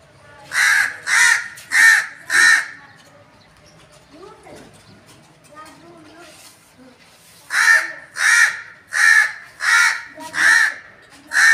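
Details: A crow gives a run of four harsh, rasping caws, falls quiet for several seconds while faint voices are heard, then resumes with another rapid series of six similar caws.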